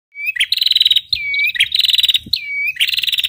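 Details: Female red-headed prinia, recorded as a masteran tutor track, giving its ngetir trill: a high whistle slurring down into a rapid buzzy pulsed trill, repeated three times with short gaps.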